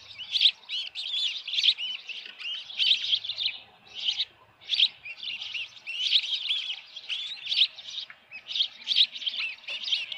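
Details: Osprey at its nest, Dunrovin Ranch, June 10 2018 near 6:41 PM, a headless fish at hand: continuous bright, repeated chirping in clustered bursts for ten seconds, steady in pitch.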